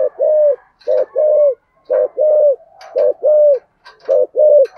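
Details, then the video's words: Spotted dove decoy bird cooing in a deep native-style voice: low mellow coos in pairs, a short note then a longer drawn-out one, repeated about four times, with faint clicks between phrases. "cu gáy giọng thổ Thúc+ Gù gáy gọi cực đỉnh"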